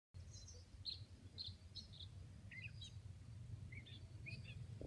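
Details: At Van Patten Rd, Wisconsin, on 19 May 2018, a Hudsonian godwit gives scattered, short, high chirping notes, some in quick pairs, over a steady low rumble of wind.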